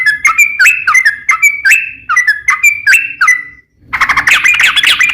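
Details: Lure song of a sooty-headed bulbul meant to trigger singing in others. A row of sharp whistled notes, each upslurred, repeats about twice per second, a short silence follows, then a denser burst of jumbled chattering notes.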